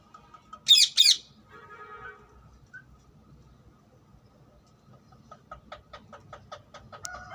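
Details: Wild rose-ringed parakeet: two loud, harsh shrieks close together near the start, followed by long quiet stretches with faint chirps and soft clicking notes.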